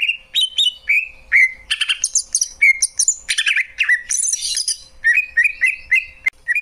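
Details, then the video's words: Varied, mimic-like song of a greater green leafbird, mixing clear whistles, downslurred notes, dense chattering bursts and very high thin squeaks, delivered in quick irregular phrases. "Cucak ijo, suara kicauan burung yang indah."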